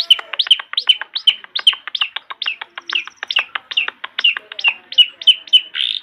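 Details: Long-tailed shrike song played as a master recording to coax young birds into singing; a steady run of sharp, high chirps with clicky ticks between them, delivered at a quick, even pace.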